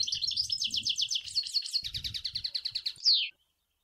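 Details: European goldfinch in Sour El Ghozlane style song: a long, even trill of rapidly repeated tinkling notes, steady and rhythmic, ending in a loud, sharply falling slurred note, with soft low rumbling throughout.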